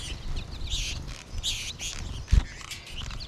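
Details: American goldfinch flock in March, birds also calling from trees overhead; scattered high chirps and twitters from several birds, with low rumbling background noise and a brief thump.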